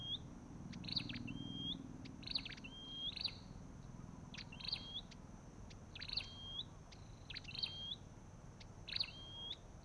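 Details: Olive-backed tailorbird: evenly spaced phrases of bright ticking notes and a hooked, rising whistle, about one every one and a half seconds, clear above soft background noise.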